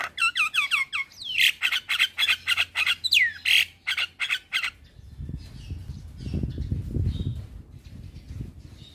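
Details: Male Javan myna song used to make listening mynas join in: rapid series of harsh rasping notes and descending whistles for about five seconds, then fading into low rumbling background noise.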